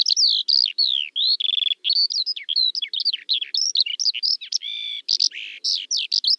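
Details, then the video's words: Continuous skylark song of tumbling, varied high chirps, buzzy trills and whistled slides, rarely pausing for more than a moment. "Kiurun / Leivon laulua | Skylark Singing"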